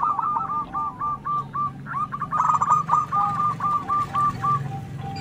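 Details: Zebra dove trading 'manggung' song with local doves, a steady run of quick mellow coo notes over a low background hum.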